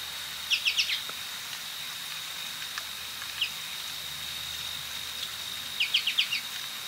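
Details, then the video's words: American goldfinch giving two quick bursts of four or five high, bouncy twittering notes, about five seconds apart, over a thin, steady high-pitched whine. "American Goldfinch 🔊 Beautiful Bird call"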